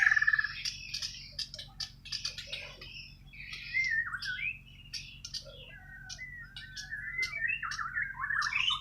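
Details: White-rumped shama from Borneo (Kalimantan) singing naturally: mix of scratchy high notes and fluid whistled slurs, rising and falling, continuous over a soft low hum.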